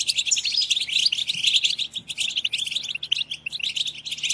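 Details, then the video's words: Collective twittering of European goldfinches, played to excite goldfinches into song; rapid, sparkling high notes and quick slurred trills pour out without pause. "اقوى بتبتة جماعية لتحفيز الحسون على التغريد"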